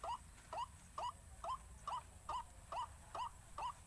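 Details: White-breasted waterhen lure recording (pikat 4 sisi, meant to make waterhens panic): short, rising, nasal notes repeated steadily about twice per second against a quiet, low background hum.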